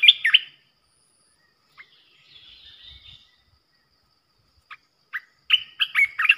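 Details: Decoy Red-whiskered bulbul, a fierce bird used to provoke others of its kind, gives a short warbled burst, scattered soft notes and a faint buzzy trill, then a longer run of quick chirpy whistles.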